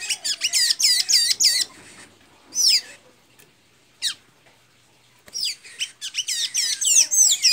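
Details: High squeaky twittering from a blue-gray tanager in Santa Inês, Maranhão, Brazil: a fast run of looped notes, a few lone slurred squeaks after a pause, then another rapid chattering phrase.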